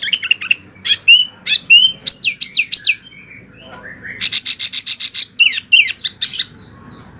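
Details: Wambi song for training oriental magpie-robins and other birds. High chips and rising, falling whistles lead to a brief pause. A fast, buzzy rattled burst follows, and sharp twitters close the phrase.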